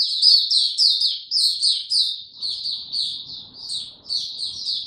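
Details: White-eye in a cage, given no supplements, singing on 29 April 2022: quick high descending chirps strung into a lively continuous twitter, with slight low background rumble.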